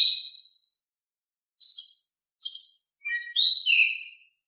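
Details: Oriental magpie-robin singing loudly, meant to spur lazy birds into song: a clear high whistle, then two rasping high bursts, followed by a few soft notes and a descending whistled slur.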